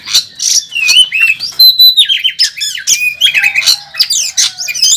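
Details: Oriental magpie-robin at a bird contest, a national first-place bird in fighting mode: loud varied song of buzzy bursts, a sustained high whistle, and quick twisting slurs and trills in a rich, full sequence.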